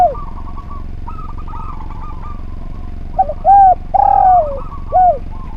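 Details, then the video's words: Training recording of a spotted dove for other birds: after a quiet stretch of faint chattering phrases, the dove gives a soft note and three rounded coos, the middle one longest and falling. Constant low background rumble. "Derkuku Gacor Suara Nglaras, Masteran Derkuku Paling Top Cer"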